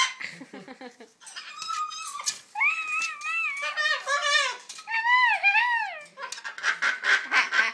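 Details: Pet macaw indoors in a small room attempting to mimic human speech, a fuzzy imitation: wavering, voice-like syllables rising and falling in pitch, some raspy squawk-like notes, ending in harsh noisy calls.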